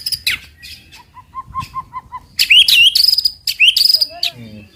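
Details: White-rumped shama song used to provoke other birds into singing: a row of short soft notes, then loud rising whistles and long sustained high tones with sharp chips.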